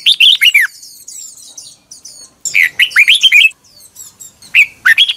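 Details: Red-whiskered bulbul singing its morning song, a training recording from 2021: loud bursts of quick slurred, bubbly whistled notes in three phrases, with faint thin high twitters from other birds between them.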